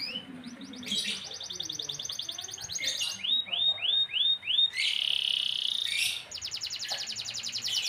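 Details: Canary song, loud and varied: fast buzzy trills, a run of rolling, swooping notes, then a sustained rattling trill and rapid clicking repeats, all high-pitched and continuous for eight seconds.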